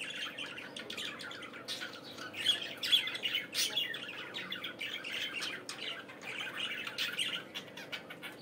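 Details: Budgerigar (Melopsittacus undulatus) song: a steady, scratchy warble of chatter, with squawks and chirps running together at a quick, uneven pace over a faint indoor hum.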